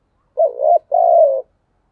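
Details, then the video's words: Spotted dove giving a 'thúc gù' coo: a short, warbling low note, a brief pause, then a longer, steady, slightly falling coo, all mellow and low-pitched against total silence. "tiếng cu gáy/ cu gáy thúc gù"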